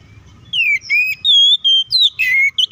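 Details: Oriental magpie-robin (kacer) in vigorous 'ngeplong' fighting song, used as a lure to provoke other magpie-robins: clear whistled notes, some sliding down and some level, in a run of about seven phrases with short gaps.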